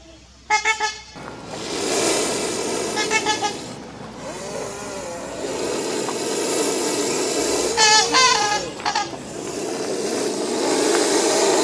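Trumpeter Swans give loud, nasal, horn-like honks in short bursts of two to four, over a steady background of wind or water.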